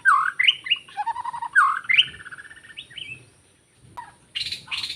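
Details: White-rumped shama recorded in forest while trapping birds: ringing whistled phrases over a steady lower warble, a short silent gap, then harsh scratchy notes.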